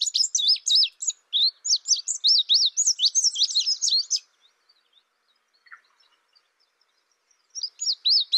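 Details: ['Indigo bunting: a rapid series of high, sweeping slurred notes, many paired, runs for about four seconds, pauses, then starts again near the end; no other clear sounds.']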